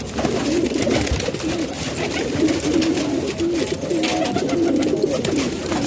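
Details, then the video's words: Kept pigeons in Pakistan coo steadily indoors, a quick series of soft, bubbling notes repeated through the clip amid the flock's background murmur and light rustling. "Pigeon Sound"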